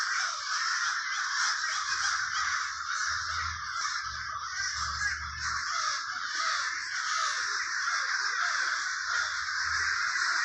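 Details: In Trenton, New Jersey's Villa Park neighborhood, numerous crows keep up a steady, harsh cawing chorus for ten seconds, overlapping calls blending into a dense rasping roar, with faint low rumbles underneath.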